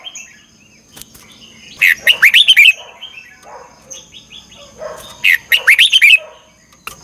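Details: Training-lure recording of a red-whiskered bulbul's morning song, in the 'chè căng lửa' style with a double-twisted voice: two clear bursts of fast, fluty, wavering notes, softer scattered chirps between them, and a faint steady background hum.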